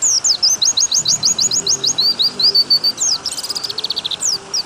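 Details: Long, fast run of high whistled white-eye notes, each a quick down-slur, strung into an unbroken phrase that ends in a dense buzzy rattle and a few scattered sweeps.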